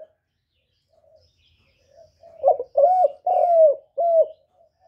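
A spotted dove gives a short run of four soft, mellow coos, the middle notes longer and slightly falling, with faint room quiet around them.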